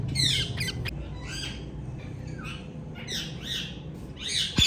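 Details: Hand-tame, captive ringneck parrots calling: harsh, raspy squawks in uneven bursts spread through the recording, over a steady low background hum.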